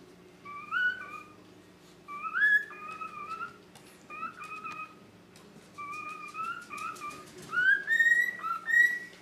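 A cockatiel whistles clear, sliding phrases that rise and then step down, repeated in short bursts about every two seconds against a faint indoor hum.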